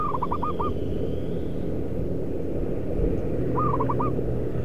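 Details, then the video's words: Zebra dove heard while birds were trapped at a concrete pipe and paving factory in Kudus, Central Java, Indonesia; two brief purring coo phrases of rapid stuttered notes, about three seconds apart, half buried under constant low industrial drone. "MIKAT PERKUTUT di area PABRIK BUIS BETON dan PAVING… apakah dikasih rejeki suara bagus atau tidak!!!"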